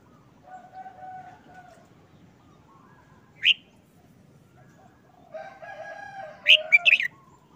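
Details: Red-whiskered bulbul in a cage, looking subdued while molting, gives one brief whistled note and then a loud, quick phrase of three slurred notes, set against drawn-out crowing in the background.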